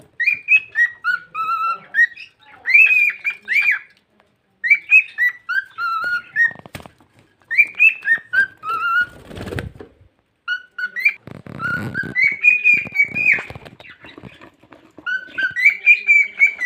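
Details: Pet cockatiel repeating the same whistled tune several times, bright fluting notes stepping down in pitch within each phrase, with soft rustling and thumping noises in the gaps.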